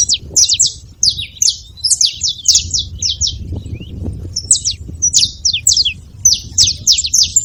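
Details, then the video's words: At a feeding spot, a saffron finch keeps up a lively stream of high, buzzy downslurred chirps in quick bursts, with brief breaks between runs and steady low background noise. "Canário da terra fazendo barulho na seva"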